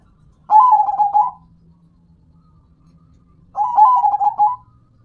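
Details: Local zebra dove, a kept songbird, repeating a short trilled, purring coo phrase twice, about three seconds apart, each phrase broken into quick pulses.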